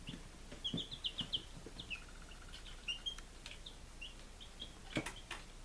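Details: Day-five baby chickens at home in Lunenburg, Massachusetts, July 2017, giving scattered high peeps in a short burst, then quieter sparse chirps amid soft tapping and background hiss.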